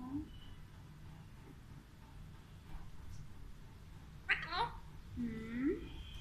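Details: An Alexandrine (ringneck) parakeet talks in Urdu/Hindi, saying a few short, word-like phrases, one harsh and clipped, another a rising, voice-like syllable, over a quiet indoor hum.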